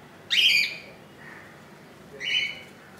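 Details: Newly hatched budgerigar, second day in the nest after hatching on 15 July 2018: two bright, harsh, rising chirps about two seconds apart, with a faint murmur between them.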